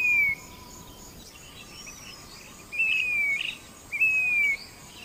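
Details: Grey-bellied cuckoo, also called Indian plaintive cuckoo, giving clear, high whistled notes: a short note at the start, then two longer slightly falling whistles about a second apart. Faint hiss in the background.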